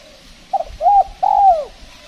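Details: Spotted dove, locally tekukur, calling during decoy trapping in the cold season, when the birds are less aggressive: three low hollow coos, the last one long and drawn out, over a faint background hum.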